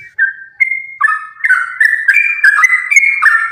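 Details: Sooty-headed bulbul singing a fighting song, continuous and rapid, meant to coax other bulbuls into calling: a short level whistle, then quick bubbly, slurred phrases tumbling up and down without a break.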